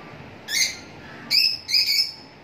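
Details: Lovebirds calling: three short, shrill chirps with bright harmonic stacks, one near the half-second mark and a close pair after a pause, over a quiet background.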